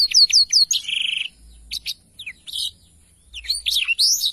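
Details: Black-throated canary singing for songbird training, opening with a rapid series of repeated descending whistles, a short rattling trill, then separated chirps and a final twittering phrase.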